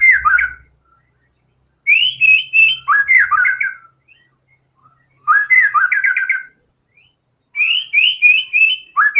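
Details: White-rumped shama singing vigorously through its learned song material: four dense phrases of quick, tumbling whistles and trills, each set apart by a short pause.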